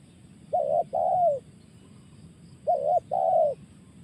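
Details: Spotted dove, 'tekan' style call: two phrases, each a brief quivering coo then a drawn-out mellow coo sinking slightly at the end, about two seconds apart, against a soft low background hum.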